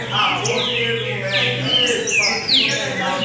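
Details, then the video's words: Caged buff-throated saltator singing at a song tournament in São Paulo, Brazil: slurred whistled phrases, several sliding downward, set against dense overlapping song from other birds and a low steady hum. "TRINCA FERRO ARCANJO NO MANEJO DANDO SHOW NO TORNEIO EM SÃO PAULO! QUEM CANTA É ELE"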